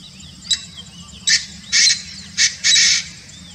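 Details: Painted francolin in Kanha National Park, Madhya Pradesh, India: a loud, harsh, rhythmic call of five grating bursts, short clicks first and then longer rasping notes, ending with a drawn-out final phrase, against a quiet background.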